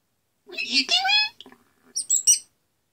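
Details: Pet common starling indoors imitating a cat's "meow": a short harmonic mewing note bending upward, then a few quick high chirps.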